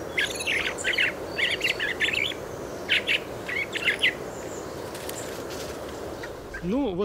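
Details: Fieldfare (Turdus pilaris) in Moscow in early spring, muttering a quiet subsong of squeaky, chattering bursts over four seconds, with a steady background hiss and a brief wavering tonal sound at the end.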